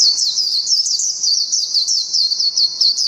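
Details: High, sweet, continuous warbling from a Japanese white-eye in ngalas style, fast slurred notes running without pause.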